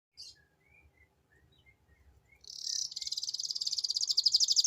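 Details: Canary singing a lure song in the ngeriwik style: a few faint scattered high chirps, then a loud, dense, very rapid high-pitched trill that runs on continuously and grows stronger toward the end.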